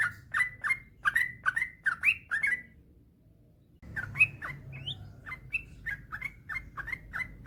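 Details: Yellow-vented bulbul, male, giving quick chirpy slurred notes, pausing about a second, then resuming with brighter rising whistles over a low hum.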